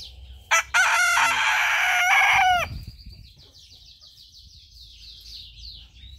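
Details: Young rooster crowing while perched on a person's head: one harsh, strongly harmonic crow lasting about two seconds, held steady then dropping at the end, followed by a faint series of high chirps.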